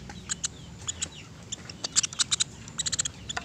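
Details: Sunda pygmy woodpecker, recorded as a clear training recording for pet songbirds, giving short high, sharp chirps and squeaky notes in irregular bursts, some in quick runs of three or four, over a low steady background hum.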